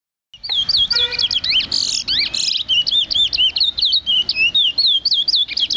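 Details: Caged lesser seed finch kept as a songbird at a home in Clonbrook, Guyana, January 2008: a rapid, continuous run of bright whistled slurs and warbling notes, densely repeated, with faint voices and room noise underneath.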